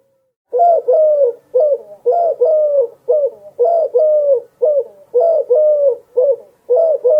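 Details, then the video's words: A mourning dove gives soft, hollow cooing notes in quick paired bursts, repeating about once a second, with nothing else heard. "dove sounds"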